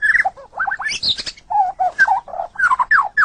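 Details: White-rumped shama singing as training material for caged songbirds: varied warbled notes, some low and nasal, with scratchy high bursts and falling whistled slurs.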